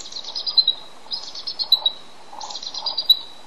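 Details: Male bald eagle sitting on eggs calls out for his mate to return and relieve him: three clear bursts of high, rapid, squeaky chitter, each a tumbling string of thin notes.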